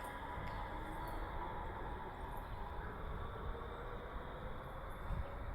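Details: Steady low rumble like a passing train or vehicle, with faint chime-like tones and no animal calls.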